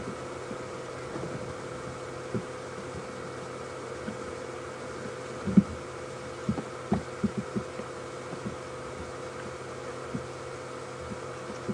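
Steady low hum like an engine or equipment, with scattered soft thumps and clicks and no animal voice.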